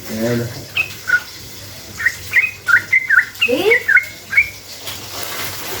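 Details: Sooty-headed bulbul song in a long rapid 'ropel' style, used as a lure to provoke other bulbuls into answering: scattered short whistled notes, some dipping or rising, with a low murmur at the start and gaps between notes.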